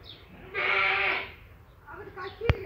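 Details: Peacock giving one loud, nasal, drawn-out cry lasting about a second, followed by fainter broken harmonic notes and a single sharp click near the end.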